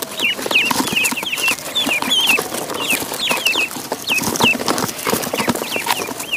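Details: Pond ducklings peeping: a stream of sharp, down-slurred squeaky notes from several young birds, overlapping, with heavy background splashing and scraping.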